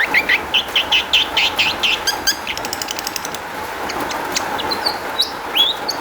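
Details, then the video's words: Lure song of a long-tailed shrike, played to make caged shrikes respond: rasping notes repeated quickly, then rapid rattling clicks and scattered thin whistled slurs, over a steady electrical-sounding hum. "kicau cendet gacor MEWAH ISIAN buat PANCINGAN CENDET AGAR BUNYI jadikan BURUNG PENTET NYAUT"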